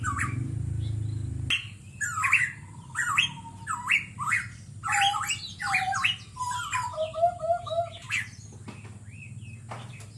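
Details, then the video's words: A pitohui sings a lively, varied string of whistled and harsh, squawky phrases, about one note-group per second, over a steady high hiss; used as a lure recording to make birds sing. "Pancingan burung pitohui"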